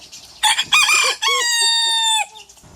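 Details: A rooster, one of several breeds, crows once. A rough, broken opening leads into a long, steady, strained tone held for over a second, which then cuts off sharply. Faint background noise comes before and after.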